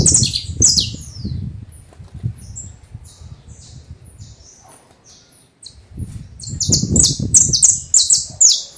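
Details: Domestic canary trilling bright, high downward-sliding notes in quick bursts, interrupted by low rustling and knocking noises near the bird.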